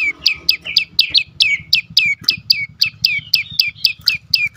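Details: Lure recording of a prenjak lumut prinia: energetic rapid chirps, high and sliding downward, some doubled, repeating quickly over a low murmuring background.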